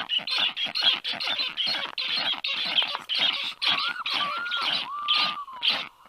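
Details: Young black storks scream and beg at the nest when a strange stork lands above, early afternoon, July 2022; fast grating calls are followed by several drawn-out whistles that rise then slide down.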